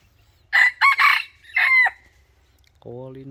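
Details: Red junglefowl decoy bird used to lure wild junglefowl. It gives a loud, harsh, broken crow in four bursts over about one and a half seconds, followed by a lower droning tone against near silence.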